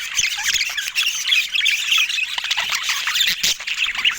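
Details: A group of pet budgies twitters nonstop, a busy high warbling blend of chirps, squeaks and scratchy notes, steady in loudness throughout.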